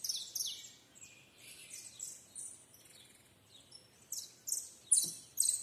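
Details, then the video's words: Canary song of rapid, high, rattling trills and sharp chirps delivered in uneven bursts, with a brief quieter pause midway before louder, piercing phrases resume near the end. "The canary song!"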